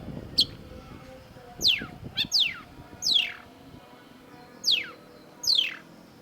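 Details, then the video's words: Long-tailed shrike (cendet) singing actively for a masteran training recording. It gives long, steeply descending whistled sweeps separated by brief pauses, with one short sharp note before them, over faint low noise. "cendet gacor MASTERAN CENDET DURASI PANJANG || Long-tailed Shrike"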